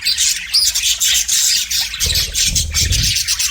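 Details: Pet budgerigar singing to a mirror: a continuous, busy warble of high chirps, clicks and short squeaky whistles, with dull low thumps and rustling in the middle.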